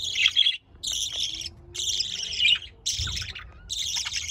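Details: Budgerigar chatter in five dense, grating bursts of high squeaky notes, each about half a second long, split by short silent gaps.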